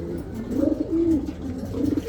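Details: Racing pigeon cooing after a race win: low, soft, throaty coos rising and falling, three phrases over two seconds, with a steady low hum behind.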